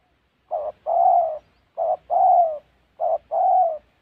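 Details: Spotted dove in the wild forests of Gia Lai, Vietnam, recorded during trapping. Three evenly spaced double coos are heard, each a short muffled note, then a longer resonant coo that droops at the end, against silence.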